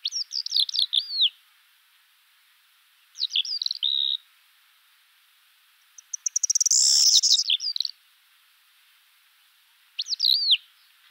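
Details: Common starling (Sturnus vulgaris) singing in separate phrases of a few seconds each. Phrases of descending whistled slurs and chirps alternate with pauses, and there is a harsh clicking rattle in the middle.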